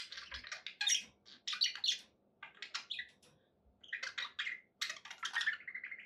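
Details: Pet budgies chirp and warble in separate bursts of sharp, buzzy notes, with a faint low hum beneath.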